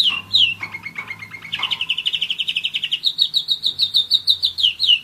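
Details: Song of a one-year-old German Roller-split canary: a few varied chirps and slurs give way to a long, evenly pulsed rolling trill, then a higher series of quick descending whistled notes.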